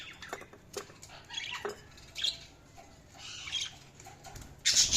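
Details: Budgerigars chirping: scratchy, noisy chatter and squawky bursts at irregular intervals, ending in a loud harsh burst, with possible wing flutters.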